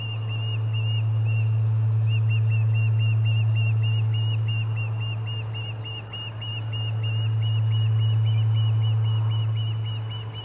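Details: Ospreys at the Charlo nest on 30 July 2020, in commotion during a fish delivery: a continuous run of rapid, whistled, arched chirps repeated about three per second, with faint high twitters of small birds above and a steady low hum.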